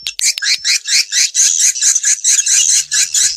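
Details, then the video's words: Swiftlet calls used by swiftlet farmers to attract birds: rapid, harsh, high-pitched chirps repeated about twice a second, buzzy and rasping, with no other sounds. "SUARA PANGGIL BURUNG WALET"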